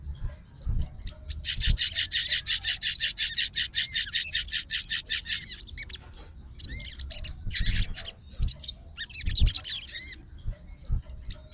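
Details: Sooty-headed bulbul of fighter type calling out an opponent after hearing bulbul sounds: a long rapid stretch of crowded high chatter, then separate bursts of slurred chirps, with soft thumps underneath.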